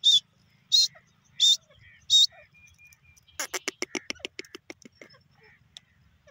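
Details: Teetar, the grey francolin, gives four loud, strident bursts in steady succession. A rapid train of sharp, clicking notes follows and speeds up, then fades. Background is quiet.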